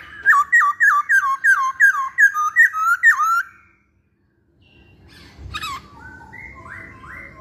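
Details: Repeated loud whistled phrases from a masked laughingthrush, about ten bent notes in quick succession, then a pause and softer, higher, rising whistles against faint background noise.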